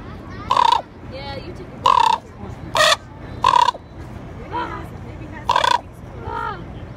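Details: Common raven recorded in Juneau, Alaska, June 2, 2018, giving five loud, raspy croaks at uneven intervals, interspersed with quieter, bent musical notes rising and falling in pitch, over steady low background noise.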